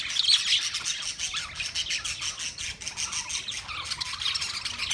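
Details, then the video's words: Budgerigars, Australian parrots, on 13 March 2024 produce an unbroken wall of scratchy chatter, fast chirps and squawks from many overlapping birds. "Beautiful Australian Parrot sounds Budgie Sound"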